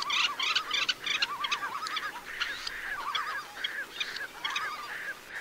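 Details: Red-necked phalaropes on Flatey Island, Iceland: a busy chorus of short, wavering, trilled notes and sharp chips, repeated rapidly and overlapping from several birds, over a steady background hiss.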